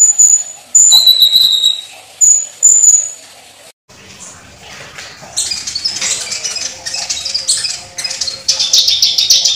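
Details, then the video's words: Kolibri ninja (olive-backed sunbird) song: clear, very high thin whistles first, then after a brief gap a run of rapid, dry, scratchy chattering notes. "MASTERAN KONIN GACOR FULL ISIAN MEWAH MATERI KEKINIAN NEMBAK CUCAK CUNGKOK"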